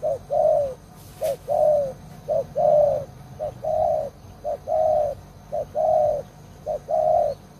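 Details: Old decoy spotted dove, caged for luring wild doves, praised for a big voice, repeating a steady two-part coo, a short note then a longer mellow one, about once a second, with a faint low hum behind.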